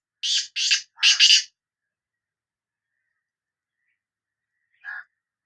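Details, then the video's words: Sindhi black francolin giving a rapid series of four rasping, scratchy notes, followed after a long silence by a single softer, lower nasal note. "Kala Teetar Voice | Black Frankoline Voice کالا تیتر کی آواز"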